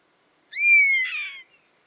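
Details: Single buzzard call, a bird of prey heard in its natural habitat: a drawn-out, slightly rising then slowly falling mewing whistle lasting about a second, ending in a rougher, hoarse tail, with a quiet background.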